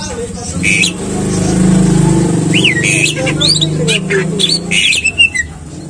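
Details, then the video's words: Greater green leafbird, played to get caged birds singing. Looping whistled slurs and sharp chips sit above a loud low rumble and hum that fill much of the recording. "Pancingan Cucak Ijo Biar Rajin Bunyi Dan Gacor"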